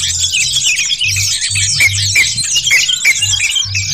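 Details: Wild sooty-headed bulbuls, several, chatter at once in a dense, busy tangle of bright, quick, bubbling notes, over a steady low electronic hum.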